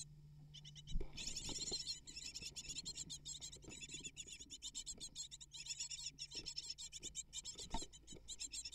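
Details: A brood of eight great tit nestlings erupts into continuous, shrill, rasping begging as a parent arrives with prey. Dull knocks and thumps from movement at the nest punctuate the unbroken high-pitched chorus.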